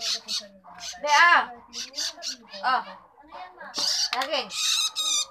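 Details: Long-tailed shrike chick calling while being fed. Loud, harsh, raspy squawks repeat in quick bursts, each with a rough nasal tone, crowding one after another with brief gaps.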